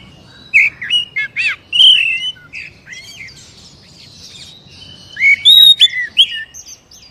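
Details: Caged Oriental magpie-robin singing as a lure for a silent captive bird, loud clear whistled phrases with sweeping slurs and chirps, two bursts separated by a quieter scratchy stretch.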